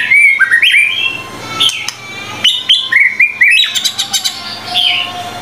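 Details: White-rumped shama singing energetically on a training recording: sweet whistled notes mixed with stepped, rising phrases and sharp high clicks, delivered in quick, varied bursts with brief pauses between.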